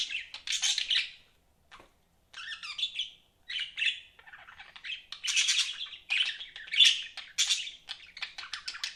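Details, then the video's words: Budgerigars kept as pets give a busy stream of high chirps and scratchy warbles in bursts, with one short silent gap early on. "BUDGIES CHIRPING SOUND"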